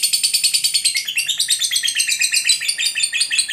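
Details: Lovebird ngekek call, a long rapid chattering trill used to provoke other lovebirds into singing; dense, harsh, high-pitched notes pulsing about six times a second without pause throughout.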